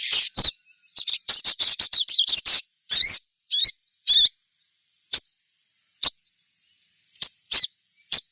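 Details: Sogon song played to get other sogons singing: a rapid stuttering series of high chirps and two warbled notes, then single sharp chips at widening intervals.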